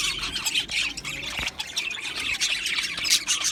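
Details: Aviary colony of budgies producing rapid squeaky chatter and harsher squawking notes that overlap continuously in a noisy flock sound.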